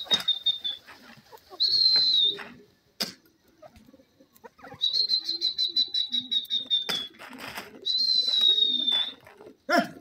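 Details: Francolins forming new pairs: high, thin pulsed trills repeated in bursts of about a second, separated by short pauses, with scattered clicks and knocks in between.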